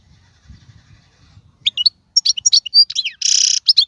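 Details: After a quiet start with faint low rumble, a wild goldfinch from 2022 breaks into sharp twittering chirps and a sustained harsh buzzy trill.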